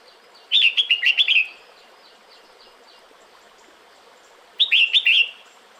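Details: Breeding-season call of a female red-whiskered bulbul summoning the male: two lively phrases of six or seven rapid whistled notes, roughly four seconds apart, with a constant low hiss behind.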